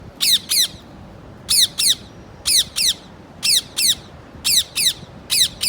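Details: Parrot giving harsh, high squawks in quick pairs. Each double squawk repeats about once a second over a quiet background.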